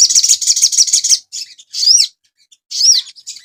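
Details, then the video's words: Asian pied starling kept as a cage bird, singing for training other birds: a fast chattering run of high notes, then separate sharp rising whistled phrases divided by short silences. "TERAPI BURUNG SOGON – MASTERAN AGAR CEPAT GACOR"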